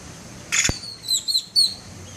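A bird of paradise mimics a camera: a sharp mechanical click like a shutter, then three high, thin whistled chirps, some bending up and down.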